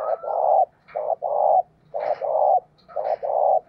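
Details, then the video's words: Spotted dove used as a decoy, calling to excite and lure wild birds. Four repeated coo phrases, each a short note followed by a longer, level, hollow coo, come roughly once a second over a faint low hum. "Cu Gáy Mồi Thúc - Gáy Gọi Kích Bổi Mới Nhất"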